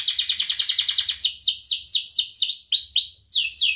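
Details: Training song of a chatty canary meant for teaching other birds. A rapid chattering trill of short notes slows into a series of drawn-out, falling slurred whistles.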